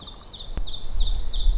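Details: At dawn (about 5:40 a.m.) on 19 May 2020, in a small migrant-catching patch of woods in Sax-Zim Bog, northern Minnesota, a Black-and-white Warbler gives thin, very high squeaky notes repeated rapidly like a turning wheel, over low wind rumble and one sharp click.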